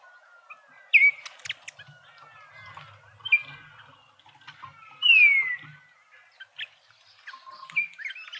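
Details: In a suburban garden feeder in Pretoria, South Africa, Speckled mousebirds call with several downslurred whistles, one longer and louder near the middle, over a bed of scratchy chatter.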